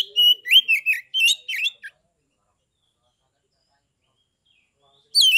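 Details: Fighting-mood Oriental magpie-robin from Kebumen, Central Java, a caged contest bird singing to provoke others: a rapid string of slurred, rising and falling whistles and chirps, silence, then another loud phrase.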